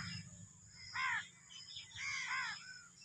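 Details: Black francolin of the Sindhi kala teetar (Sahiwal) type calling: two harsh, harmonic phrases of down-curved notes, the second longer and doubled, over steady background hiss and low hum.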